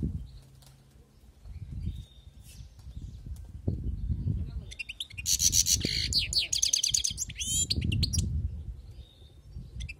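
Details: Wild European goldfinch bursting into a loud, dense, tinkling twitter with buzzy rattles mid-clip, framed by quieter chirps, with low rumbling noise and murmuring voices in the background.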